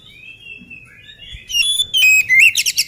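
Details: Before its meal, a lively oriental magpie-robin gives soft, long gliding whistles that lead into loud, bright whistled notes and a rapid buzzy chatter.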